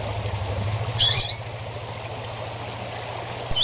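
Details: Rusty-collared seedeater 'tui-tui' song used to tutor young seedeaters: two brief, bright, high twittering phrases, the second cut off at the end, over a steady low hum like running water.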